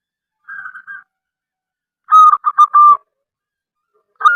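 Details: Local zebra dove (perkutut lokal), singing strongly. Its song draws other doves to call and sing. A soft double coo comes first, then a loud, fast, stuttering phrase of four rolling coos, and the start of another phrase at the end.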